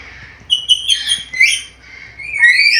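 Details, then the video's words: Black-capped lory showing off its varied voice: a string of clipped whistles runs into a harsh, scratchy phrase, followed after a short gap by a rising whistle. "MASTERAN BURUNG NURI KEPALA HITAM GACOR BISA NGOMONG SUARA BERVARIASI"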